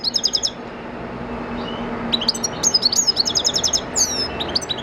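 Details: Cage-raised European goldfinch, bred 2014, natural-training song: an opening twittered phrase, a pause, then a long run of rapid sparkling chirps and buzzy downward slurs over faint background hum.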